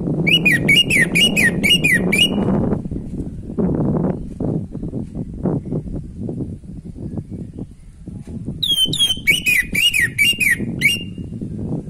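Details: Orange-headed thrush singing naturally, meant to spark breeding urge in another bird: two bouts of fast, repeated swooping whistles, each lasting about two seconds, separated by a stretch of rustling and low background noise.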